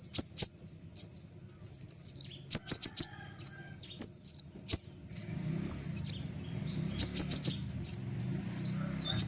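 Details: White-winged triller singing a long twittering, rapid-fire song used to train and excite other birds: high piercing chips and downslurred whistles in quick clusters, with a faint low hum underneath.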